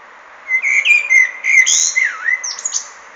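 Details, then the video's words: Common blackbird sings a short mellow fluted phrase of warbled notes, dipping low midway, ending in a thin squeaky high twitter. "Feketerigó énekel"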